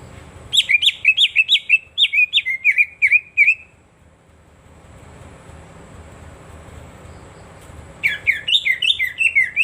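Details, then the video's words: Lure song of the greater green leafbird (cucak ijo), meant for birds that have gone quiet. A rapid run of loud, sharp whistled and slurred notes, several seconds of near silence, then another fast burst of varied whistles. "pancingan suara cak ijo"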